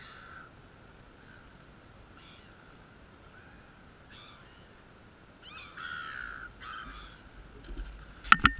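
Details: Seagulls calling at Mollymook. Faint squawks early on give way to a louder run of harsh, grating calls. A sharp click comes near the end over a quiet outdoor background.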